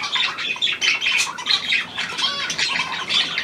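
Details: Hand-tame Australian pied budgerigar, a new bird, 17 February 2023, uttering short bright whistled notes and squeaky chirps in quick succession, with a few scratchy squawks between.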